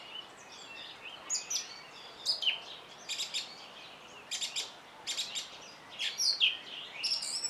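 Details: Song thrush singing bright, high phrases, several given twice in quick succession, with steady pauses between the pairs.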